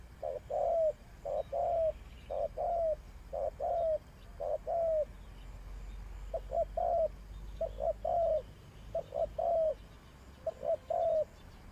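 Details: Decoy spotted dove for bird trapping coos in a long regular series, each phrase two or three mellow notes with the final one stretched and falling, against a low steady rumble.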